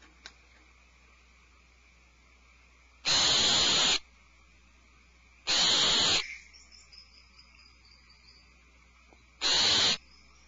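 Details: Three long, drawn-out hissing screeches of nearly a second each from owlets alarmed in a nest cavity, spaced about three seconds apart, with a thin faint whistle trailing after the second.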